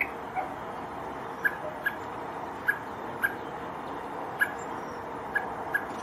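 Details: Calling while searching for a fledgling, a male common blackbird in Poland on 7 July 2023 gives short, sharp single notes at irregular intervals of about half a second to a second, against a low constant hum.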